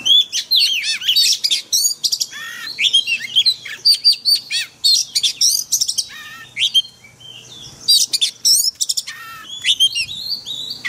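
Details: Oriental magpie-robin singing a 'forest voice' song used for daily training of caged birds: rapid, varied high whistles, sharp chirps and rising and falling slurred notes in dense bursts, with brief pauses around seven seconds.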